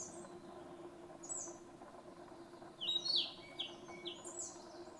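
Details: Narcissus flycatcher singing at Mount Fuji on 5 June 2015, brief high whistled and chirping phrases, densest around the middle, over a steady low hum of background noise.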